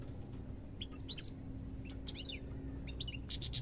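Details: European goldfinch giving scattered twittering phrases: short bursts of sharp chirps and quick downslurred notes separated by brief pauses, ending in a buzzy rattle, with a faint low hum behind.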